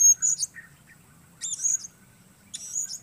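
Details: Blue-crowned hanging parrot performing solo outdoors during bird-luring: three loud, very high, piercing shrill bursts roughly a second apart, each a rapid cluster of squeaky notes, over quiet low background noise.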